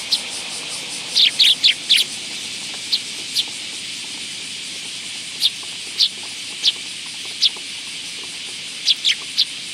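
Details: Several willow tits at a bench feeding spot by a Tenmangu shrine, 10 August 2022: a cluster of high, sharp chirps followed by isolated thin notes spaced roughly every second, over a steady hiss.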